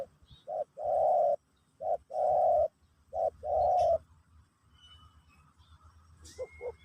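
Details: Pesom/Kacuk song of a spotted dove used to train a new bird: three phrases of a short coo followed by a long, steady low coo, then quiet with a faint thin whistle.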